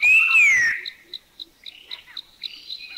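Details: Puff-throated Babbler recorded in Thailand: a clear whistled note rising then sliding down, followed by softer chuckling and churring notes from the same species and a steady series of faint high ticks.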